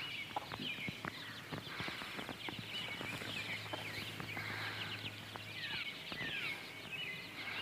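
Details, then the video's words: Several 20-day-old Partridge Cochin x Barred Rock mixed-breed chicks out walking with their mother hen, giving high thin peeps and short downslurred cheeps repeated busily throughout, with footstep-like taps and soft outdoor background. "Peeps - Partridge Cochin & Barred Rock mix"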